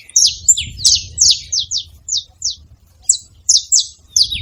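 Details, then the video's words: Free wild saffron finches gathered at a feeder making noise: quick high downslurred chirps, some overlapping, coming in uneven clusters with a brief lull before more notes. "Canarinhos da terra livre na seva fazendo barulho"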